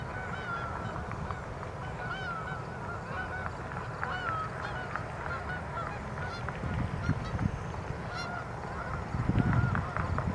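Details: Canada geese flying and landing on 23 September 2014. A flock gives many overlapping nasal honks over a steady low rumble of wind or water, and the noise swells near the end.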